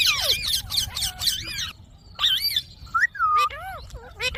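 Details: Indian ringneck parakeet kept as a pet, mimicking speech in rapid, buzzy, word-like syllables, then a pause followed by scattered whistled and warbling notes that slide up and down.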